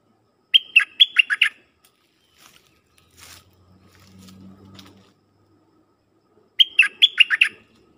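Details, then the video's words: Dok taeng bird kept as a decoy, singing to call in wild birds: two bursts of five or six clear whistled notes, each starting high and dropping, about six seconds apart, with faint rustling and low hum between. "เสียงนกดอกแตงEp.132นกต่อจ้าวขันเงิน เปิดดอกเรียกนกป่า เพลงเพราะน่าฟัง"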